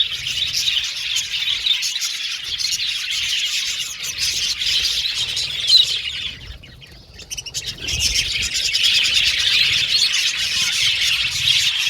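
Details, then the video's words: Many budgerigars in an aviary colony, singing and chirping while playing in their cage; thick high-pitched warbling chatter that briefly fades to near quiet midway, then swells back into steady overlapping chirps. "Budgies Singing And Chirping Sound"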